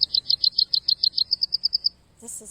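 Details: A Tennessee Warbler sings hard out over a river on a morning warbler walk at a Wisconsin park in June: a fast, high series of about fourteen sharp chipping notes over two seconds that trail off, followed by a brief human voice.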